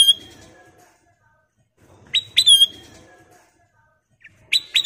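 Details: Kutilang emas, a golden-coloured bulbul, singing as a lure (pancingan) to prompt other birds to sing: loud whistled phrases with a sharp rising start and a ringing falling slur, separated by quiet gaps.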